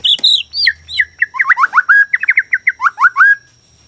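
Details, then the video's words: Borneo white-rumped shama with a loud song meant to trigger other shamas to sing and fight; high whistles opening into a quick string of swooping, slurred whistled notes, falling and rising, ending abruptly. "KICAU BORNEO AMPUH BIKIN MURAI STRES SUSAH BUNYI AUTO FIGHTER NYAUT"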